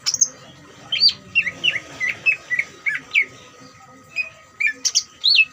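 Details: Greater green leafbird singing ngeriwik, a song meant to stir other leafbirds into emotion and regular singing; a chain of short, down-slurred whistled notes about every third of a second, then high sharp chips, steady faint tone behind.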